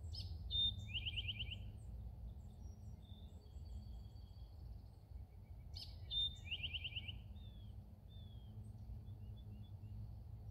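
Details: Song of an Eastern towhee, a very vocal large sparrow common in Indiana, recorded April 3, 2021: two phrases about five seconds apart, each a bright high note dropping into a fast buzzy trill, over steady low rumble.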